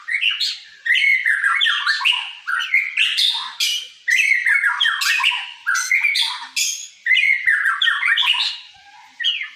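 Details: Murai singing sujud: a white-rumped shama giving repeated bursts of energetic song of about two seconds each, mixing rasping buzzy notes with clear slurred whistles and high sharp accents.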